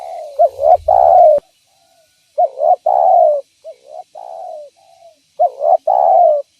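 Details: Spotted dove calling, used as a lure to attract other spotted doves: three groups of low, mellow coos, each of two short rising notes and then a longer drawn-out falling coo, spaced about two seconds apart in a quiet setting.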